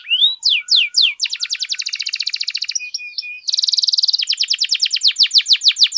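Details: Canary song used as a lure to excite other canaries into singing: fast varied phrases of down-slurred whistles, then rapid buzzy trills repeated about three times per second, a brief pure whistle, and a dense high rattle.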